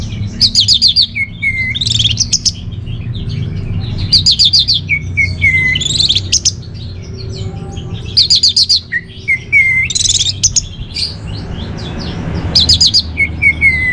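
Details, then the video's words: Orange-headed thrush, a cage bird whose song serves as lure and master song: repeated phrases every two seconds or so, each a harsh rattling burst followed by a falling whistle, with a low hum throughout. "ANIS MERAH Dirumah Pasti Gacor || Pancingan sekaligus Masteran Burung Punglor"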